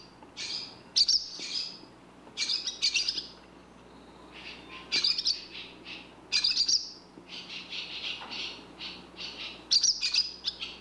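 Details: Barn swallow calls: quick clusters of high, squeaky twittering chirps, repeated in bursts every one to two seconds, over a faint steady low hum.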